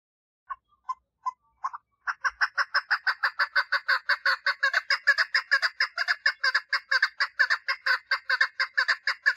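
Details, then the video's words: Female chukar partridge giving its mating call: a few spaced single clucks, then a dense, accelerating run of harsh chuk notes, repeated about twice per second and continuing to the end. "Female Chukar Partridge call - صوت الحجل أنثي - صدای کبک ماده"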